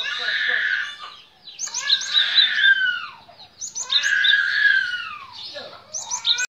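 Cinereous Tit giving harsh, buzzy chattering notes in quick bursts, each sweeping downward. The bursts come in two long bouts with brief pauses between.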